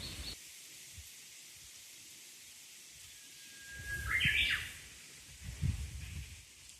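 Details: At a small, neat neighbourhood shrine, a Japanese bush warbler gives one song: a soft, level whistle, then a brief, sharp burst of rising and falling notes. Quiet background with low, muffled noises.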